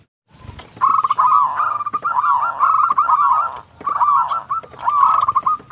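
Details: Local zebra dove, young bird, in full song: rapid rippling warbled coo phrases run together in long stretches, broken by a short gap, with a faint steady high electronic whine early on.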